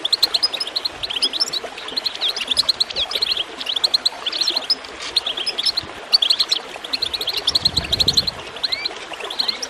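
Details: Sustained goldfinch chirping over water, used to encourage birds to sing: phrases of rapid, tinkling high notes repeat every few seconds, and a louder gurgle of water rises toward the end.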